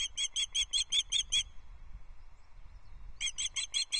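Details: Female osprey calling for fish from the nest at Loch Arkaig on 14 July 2024, captured by a nest livestream camera. Two runs of sharp, piercing chirps, about seven in quick succession, are split by a short pause with faint low rumble.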